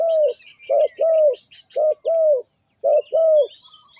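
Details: Spotted dove lure call for trapping: a series of mellow, low hollow coos, each short note followed closely by a longer steady one, three paired phrases in quick succession, with soft high bird chirps behind.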